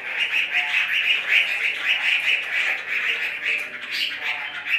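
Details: Chinese hwamei offered for sale, pouring out an unbroken stream of fast, rolling warbled notes with a steady pulsing rhythm and a few brighter, higher flourishes toward the end.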